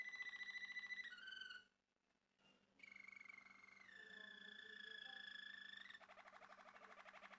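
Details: A male Malinois Waterslager canary sings long rolling tours: rapid bubbling trills, pure sustained whistles sliding down in pitch, a brief pause, then a fast water-like rattle.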